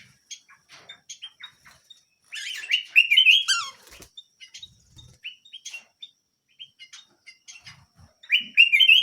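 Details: Canary giving scattered short chirps and a long loud warbled phrase, then more chirps and a final rich trill.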